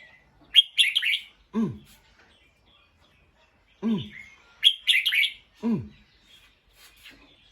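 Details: Bulbul on alert after hearing a sound, giving harsh, clustered alarm chirps twice, each followed by a low, falling human hum, in a quiet setting.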